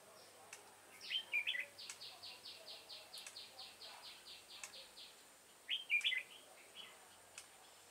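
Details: Red-whiskered bulbul of the 'devil face' type, recorded while trapping with a decoy bird on 22 September 2018: short warbled, slurred phrases rising and falling, separated by a long run of evenly spaced, buzzy chirps. Sharp clicks in the background.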